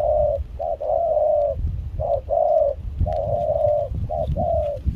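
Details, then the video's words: Cooing song of a spotted dove in Kon Tum amid rain and chilly wind: short coos alternating with long drawn coos, heavy low wind rumble and some faint clicks throughout. "Gác cu khi trời mưa gió se lạnh.bổi giọng pha nước ngoài chơi tốt"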